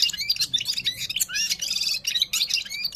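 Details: Gulsar from Parachinar, a Himalayan bird, singing at full power: rapid, dense twittering of high chirps, short whistled slurs and trills packed together with hardly a pause.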